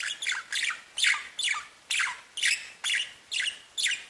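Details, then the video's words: Caged budgerigars singing and tweeting: rhythmic, buzzy descending squawks come about twice a second, even and insistent. "Веселое пение волнистых попугайчиков / Funny singing of wavy parrots"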